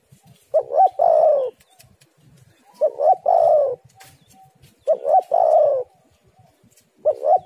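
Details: Spotted dove coo used as a lure to prompt other doves to call: three low, mellow phrases, each of two or three quick hooting notes merging into a drawn-out coo, repeated about every two and a half seconds.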